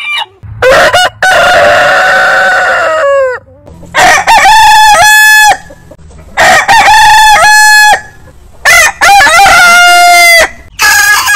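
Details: Repeated long rooster crows, each a loud, harmonically rich cock-a-doodle-doo about one to two seconds long, ending in a downward slur. They are separated by short silences.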